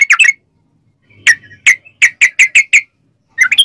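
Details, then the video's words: Sooty-headed bulbul phrases used to lure other bulbuls into song: a quick chirpy burst, then a series of short evenly spaced bright notes, and another chirpy burst at the end. "trucukan gacor ROPEL PANJANG buat pancingan trucukan agar bunyi"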